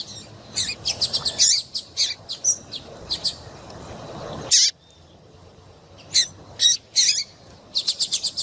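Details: ['Female double-collared seedeater piping to excite a male into singing: runs of quick high chips and buzzy notes, a silent gap, then scattered calls and a closing burst of rapid chips.']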